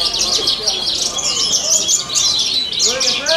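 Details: Competition Horsfield's bush lark at a singing contest in an animal market, Purbalingga, pouring out rapid high twittering and chirped phrases without pause, with faint voices of people in the background.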